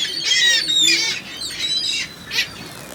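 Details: Gulls in a large gathering give loud, harsh, wavering squeals in short bursts, about four strong calls separated by brief quieter gaps.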